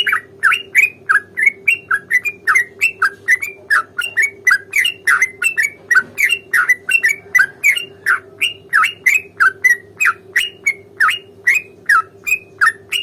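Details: Long unbroken fighting song of a sooty-headed bulbul, a rapid-fire bait song to set other bulbuls singing; some three dozen chuckling, warbled notes pour out at about three per second, varying slightly in pitch, with a constant low hum beneath.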